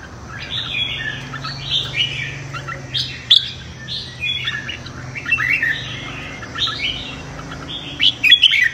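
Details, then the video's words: Red-whiskered bulbul in competitive morning song for voice training. Clusters of warbled, fluty whistles separated by short pauses, with a few sharp high clicks. "Chào Mào Hót Đấu - Chào Mào Hót Sáng Luyện Giọng Kích Bổi Hót Đấu Căng Lửa"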